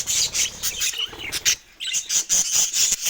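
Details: Budgies chirping over fruit: pulsed, raspy bursts about twice a second, with a short pause midway and bright whistled notes after it.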